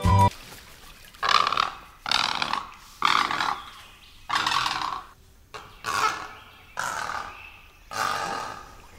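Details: Great Egret in Sri Lanka giving a series of about eight harsh, rasping croaks, each under a second long, repeated roughly once a second.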